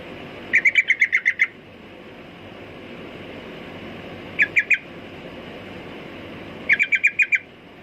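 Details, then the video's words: Sooty-headed bulbul giving rapid stuttering bursts of about three to seven sharp, evenly spaced notes, with several seconds of quiet between bursts. "Burung Trucukan Kicau Mania"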